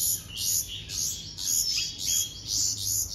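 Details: Hand-fed bulbul nestlings give rasping, very high begging calls in regular pulses about once a second, some with thin whistled edges.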